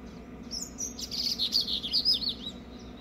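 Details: Young brown papa-capim seedeater singing after being set on top of a trash bin, excited by waxbills passing by; a quick, high, twittering warble of sliding and looping notes, strongest mid-clip, over a low steady background hum.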